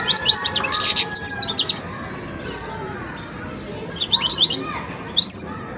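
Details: Juvenile European goldfinch practising song during its learning stage: a rapid run of bright, high twitters, then a pause, then two shorter tinkling bursts, over faint background noise.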